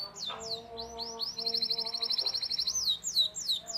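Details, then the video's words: Canary tutor song for juvenile birds: falling whistled sweeps, a long rapid rolling trill, then more descending notes, with a faint steady lower tone running underneath. "PANCINGAN Kenari GACOR PANJANG Cuit Cuit EMOSI‼️ MASTERAN Kenari PAUD belajar BUNYI"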